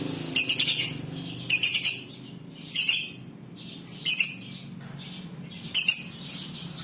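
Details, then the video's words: Lovebirds kept in a colony, females giving 'konslet' chatter: loud scratchy high bursts about once a second, one thin rising whistle in a gap, faint low hum behind. "Rawatan Love Bird Koloni ,konslet betina"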